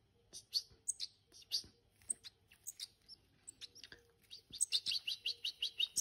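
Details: Hand-reared European goldfinches giving quick high twittering chirps and tinkling notes, irregular at first, then a fast run of repeated bright notes near the end, with faint clicks in the background.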